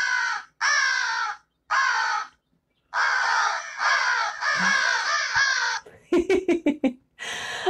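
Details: An American crow (Corvus brachyrhynchos), a corvid common in southern Wisconsin, gives a string of loud, harsh, hoarse caws, each under a second, then a quick burst of short clipped notes and one last caw.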